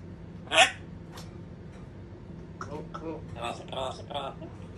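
An African grey parrot gives one loud, sharp squawk, then a string of quieter voice-like phrases over about two seconds in a small indoor room.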